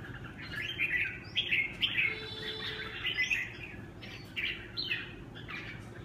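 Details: Huế xoè style song of a red-whiskered bulbul: a run of short, lively whistled phrases, some sharply rising, repeated about every half second with brief gaps, a faint steady tone briefly underneath and a low hum throughout.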